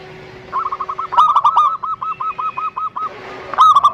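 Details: Zebra dove song used to encourage other doves to sing: a chain of evenly repeated, clipped coos with a brief stuttering burst in the middle and another at the end, over faint background hum.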